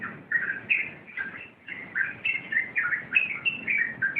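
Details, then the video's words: Rompelan-style song from a sooty-headed bulbul: lively jumbled warbling in quick bursts, a brief lull around one and a half seconds, then a renewed rush of chirps. "Suara Rompelan Burung Trucuk"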